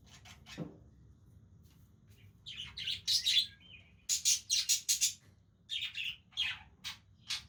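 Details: Budgerigars playing with each other give scattered bursts of harsh, scratchy chirps and short squawks, clustered in quick runs with brief quiet gaps, plus a faint low thump early on.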